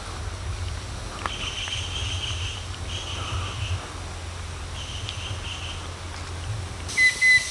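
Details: A chestnut-winged cuckoo (Clamator coromandus) gives thin, high whistled calls in short bursts, ending with a clearer sharp whistle, over a steady low engine-like rumble; recorded May 2023.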